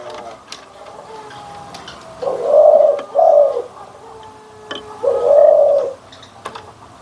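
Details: Barbary dove anggungan coo, comparing white and brown birds: three soft, deep coos, two close together then one after a pause, over quiet room background.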